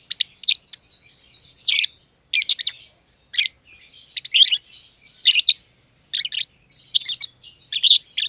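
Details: Two pet lovebirds, a green personata and a green pied personata, kept together in an aviary, chirping: bursts of harsh, high, scratchy chirps in short clusters, spaced irregularly about every half second to second, no other sounds.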